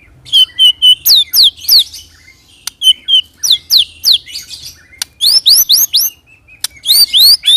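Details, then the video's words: White-rumped shama singing a rolling song used to draw responses from other shamas: rapid series of sharp rising whistled notes in quick bursts, with steady held whistles between groups. "pancing murai dengan roll tembak ini murai batu manapun akan respon bunyi ngerol"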